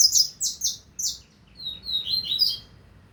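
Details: Double-collared seedeater singing in the 2025 season: bright, high buzzy chirps in quick bursts, then a faster run of slurred, rising-and-falling warbled notes near the end, with a faint low background hum.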